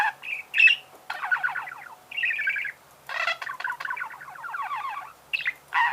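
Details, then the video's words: Budgerigar singing in phrases of rapid falling buzzy notes and chattering trills, with some sharp squeaks, separated by short silences. "Пение волнистого попугая"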